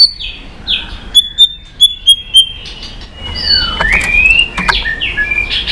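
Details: White-rumped shama song played to stimulate and train other shamas to sing, many-voiced: a rapid series of short high whistles, then sweeping rising and falling whistled phrases with sharp clicks.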